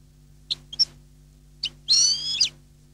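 A European goldfinch gives three quick, high chirps, then a bright, tinkling twitter of about half a second, rising and falling.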